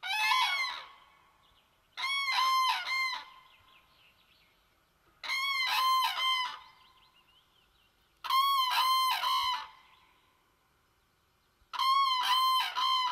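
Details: Common crane by a small pond, nesting on eggs with chicks nearby; five bursts of loud, ringing, bugled notes in quick stuttering runs, each burst about a second long and coming every two to four seconds, with quiet between.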